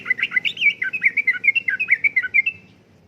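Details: Sooty-headed bulbul delivering lively uplik-uplik song, meant for luring and tutoring caged birds: a quick stream of liquid, warbled notes rising and falling, roughly six each second for almost three seconds, with a faint low hum underneath.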